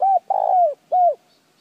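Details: Close, loud spotted dove coos intended to make decoy birds call: a steady coo, a longer throaty rolling coo falling away, then one more drooping coo. The background is clean.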